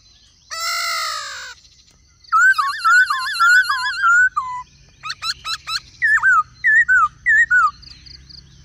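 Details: Laughingthrush with a female calling: a harsh buzzy burst, then a long warbling wavering phrase, quick upward flicks and five repeated falling two-part whistles, with a faint low hum beneath.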